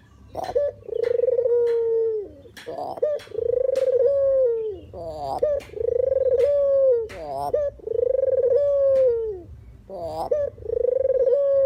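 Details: Puter or deruk dove calling as a trapping lure: a series of low coos. Each opens with a short higher note, rolls into a pulsed purr, then slides smoothly downward. About five coos in close succession.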